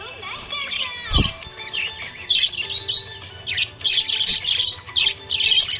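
A budgerigar chatters in quick, scratchy chirps and warbled bursts, coming a few times every second with short pauses, over a soft background hum and a single thump.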